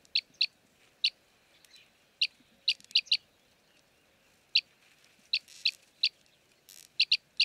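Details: In Jeddah, Makkah Region, Saudi Arabia, an Arabian green bee-eater utters bright, high chirps at uneven spacing, often doubled, with short pauses and a faint hiss between.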